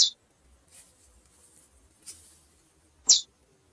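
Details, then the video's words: Female chestnut-bellied seed finch calling: two short, high, sharp chip notes about three seconds apart, with faint hiss between them. "Fêmea de Curió Piando e Chamando"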